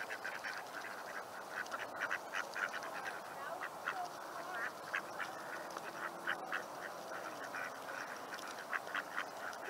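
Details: Mallard drakes in a Seattle neighbourhood on the evening of Monday, 10 May 2021, at golden sunset, give soft, short, raspy chirps in a steady scatter, several birds overlapping, over constant background hiss.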